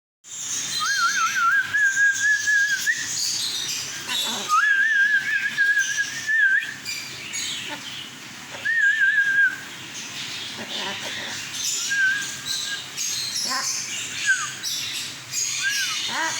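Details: An albino talking cockatiel in a shop gives wavering, drawn-out whistled phrases against a busy, noisy indoor background.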